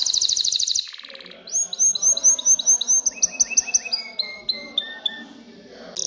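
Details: Canary in excited breeding song to stimulate females to mate and build a nest: a fast high trill, a low rattle, then evenly repeated whistled downslurred notes that shorten and quicken before fading.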